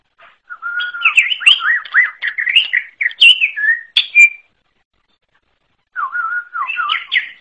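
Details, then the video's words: {'caption': 'Wild greater green leafbird singing a unique, whistle-rich song: a level whistled note leads into a long, flowing medley of looping, slurred phrases. After a gap of over a second, a similar whistled phrase begins again. Otherwise quiet.'} "KICAU UNIK CUCAK IJO ALAS"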